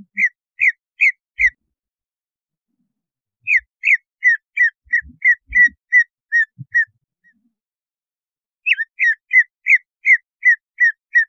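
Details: Greater Green Leafbird song played to trigger breeding condition and aggression: three bursts of rapid, short descending whistles, each run of several notes separated by silences. Faint low knocks sit between bursts.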